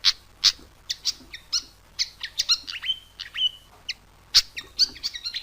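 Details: Pied fantail lure sound, known locally as murai gila, kipasan or murai cawan: sharp high chirps and short descending whistled notes in an uneven, lively series, some notes doubled, with no other clear sounds.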